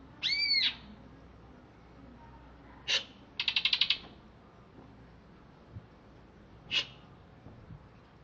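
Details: ['Greater green leafbird, caged and recently bathed, originally from Alas Purwo: one arched whistle, a sharp chip, then a quick high rattling trill, followed by sparse single notes and quiet pauses.']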